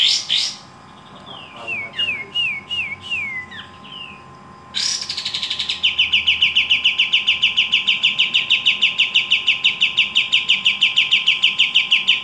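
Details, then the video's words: Pied triller (kapas tembak) singing vigorously: a few short whistles, a run of descending slurred notes, then a long fast series of bright chattering notes, about three per second, continuing to the end. "Kapas tembak gacor dor"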